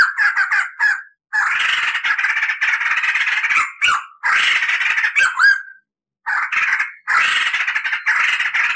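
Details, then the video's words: Crested laughingthrush in lively form, used as a tutor recording for training other songbirds: harsh, scratchy chattering bursts repeated in quick phrases with short silent gaps, cackling and rolling without other sounds. "SUARA MASTERAN POKSAY JAMBUL GACOR NGEROL"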